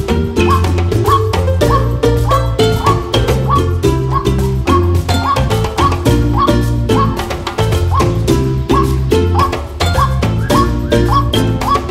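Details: Loud, rhythmic Latin-style music with strong bass and percussive hits throughout; no animal voice comes through.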